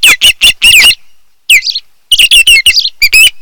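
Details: At a Kent Island, Maryland nest watched by camera one July 2018 afternoon, an osprey gives loud, piercing whistled chirps in short rushed bursts, with a gap of about a second between groups and some slurred notes.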